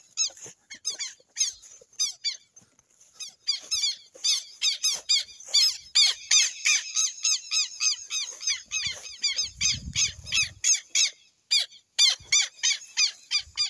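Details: Long bout of southern lapwing calling from the Amazon: piercing, raspy notes stacked with harmonics, delivered in fast repeated runs with short gaps, a faint low rumble midway.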